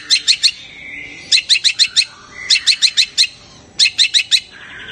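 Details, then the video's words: A long-tailed shrike gives a scream of bursts of four or five harsh, high chattering notes, repeated about every 1.25 seconds over a faint low hum; the scream is said to stir other shrikes into breeding excitement and instant full song. "Cendet teriakannya bisa bikin cendet lain emosi birahi dan langsung gacor seketika"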